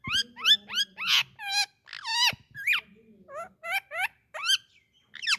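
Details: Indian ringneck parakeet, a talking pet parrot, giving a rapid run of loud, harsh, harmonic squawks and chirps, most short and sharply rising or bending, with brief gaps between them and a faint low hum underneath.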